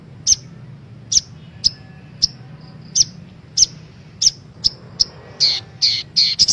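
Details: Female Brown-throated Sunbird call, used as a lure for caged birds to sing. Sharp, high single chips repeat roughly every half second, then give way to a few short buzzy notes at the end.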